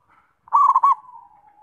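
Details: A faint lead-in note from a zebra dove, then a short burst of rolling coo pulses that fade into a drawn-out soft tone.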